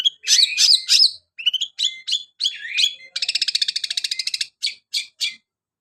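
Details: Long-tailed shrike singing a song that mimics a canary: loud twittering phrases and slurred whistles, then a rapid canary-like rolling trill lasting over a second, ending with short separate chirps.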